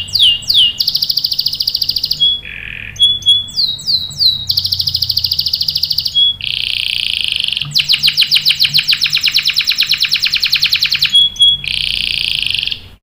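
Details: Canary song used as a lure to make other canaries answer and sing, with long rolling trills: fast buzzy trains, downslurred whistles repeated in series, short pure tones and a low nasal note between phrases.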